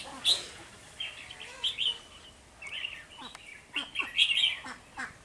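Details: Red-whiskered bulbul used as a decoy during bird trapping at the start of the season, 3 November 2020; short bright warbled phrases come in bursts with pauses, and a man speaks briefly.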